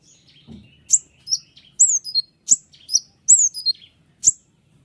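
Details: White-winged triller delivering sharp, clear song meant to provoke other trillers into answering. Short, high whistled slurs fall in pitch, spaced roughly half a second apart, with faint clicks between.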